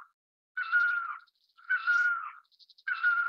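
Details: Great barbet (Psilopogon virens), call.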